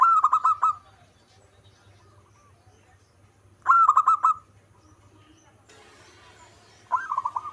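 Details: Local zebra dove singing actively. Three loud bursts of fast, stuttering coos, each under a second long, arrive several seconds apart in near silence. Brief broadband rustle before the last burst.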